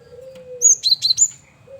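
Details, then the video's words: Male Javan munia used as a lure bird: a short burst of four or five high, sharp chirps and whistled notes close together, after a steady low hum in the background. "Burung Gelatik Batu jantan||Burung Gel wingko Gacor Variasi Buat Pancingan"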